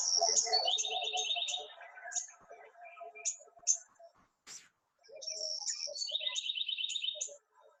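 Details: House wren from Arizona, played to show how song dialects differ: a rapid bubbling song of high chips and fast buzzy trills, two bouts split by a short pause.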